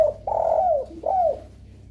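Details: Spotted dove lure call for drawing replies from other doves: a long husky coo falling at its end, then a shorter descending coo, over steady low rumble.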